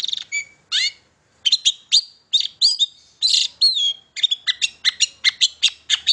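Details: Long-tailed shrike song used as a lure to get young shrikes singing: a rapid medley of high chirps, bent whistles and buzzy notes, with a brief pause near one second and then a dense burst of sharp notes.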